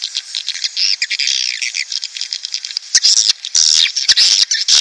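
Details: Swiftlet calls played to attract breeding swiftlet colonies into a nest house: dense, high chattering chirps and buzzy twitters, with a harsher burst of squawking calls in the final two seconds.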